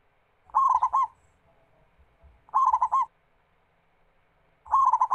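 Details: Zebra dove, the local perkutut, singing energetically as a lure for other doves: three rapid cooing phrases with a rolled flourish, roughly two seconds apart, with low muffled knocks underneath.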